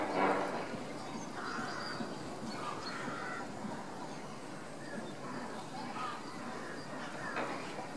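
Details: Lesser flamingo stamp-feeding; scattered short nasal, honking calls rise and fall over a constant wash of background noise, with a louder burst at the start.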